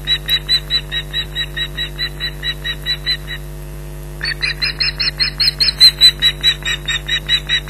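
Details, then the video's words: Osprey alarm calls at the Loch Garten nest in Scotland, 15 July 2011, as a persistent intruder approaches and the mate joins the shouting. Two bursts of rapid, piercing yelps separated by a brief lull, with a constant background hum. "Loch Garten Ospreys 2011 July 15th 11:03 - Intruder Alert"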